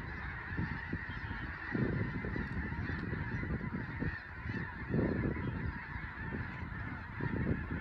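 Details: Large flock of Snow Geese at Fir Island, Skagit Valley, western Washington, taking to the air as a raptor flies over: a dense roar of overlapping honks and wingbeats, surging louder in waves.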